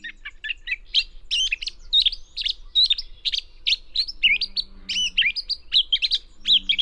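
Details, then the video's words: Gray catbird singing with mimicry in dense willows and alders of a restored meadow in Northern California, where it is uncommon; a rapid jumble of varied high whistled and chattering phrases, some slurred, a few squeaky notes, with a faint low hum beneath. "And not only was I hearing gray catbird, but I was hearing an incredible catbird, a bird that mimicked"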